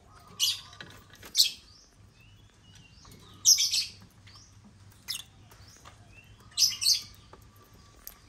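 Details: African lovebirds taking over a millet-laden toy construction crane; shrill, high chirps in short bursts, roughly one every second or two, over a faint steady hum.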